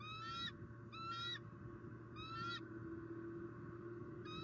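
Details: Female bald eagle calling at the nest in Southwest Florida after a squirrel delivery on an October 2019 afternoon. Shrill rising whistles come in short bursts, about one per second, over a steady low hum.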